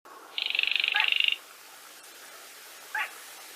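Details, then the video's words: Baillon's crake giving its 'gõ ghẻ' style call, a recording played at night to lure birds into nets: one dry, rapid buzzy trill lasting about a second, then a single short clipped note. "Tiếng Chim Cuốc Lùn Gõ Ghẻ"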